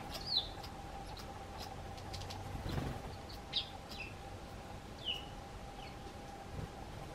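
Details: Eurasian tree sparrows on a garden bench calling to a person at the door: several separate high chirps with downward slurs spread across the recording, a faint steady hum and a low thump midway.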